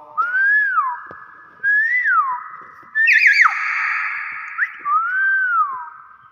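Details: Nias hill myna giving loud whistles: three clear rising-then-falling notes about a second and a half apart, with a quick warbled twisting phrase between them. A man's voice repeats syllables nearby.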